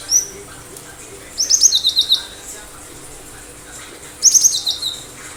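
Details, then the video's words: Cinereous tit singing with sharp phrases: a brief high note, then two phrases of quick high chips running into a string of lower, evenly spaced notes, about three seconds apart. "Gelatik batu gacor"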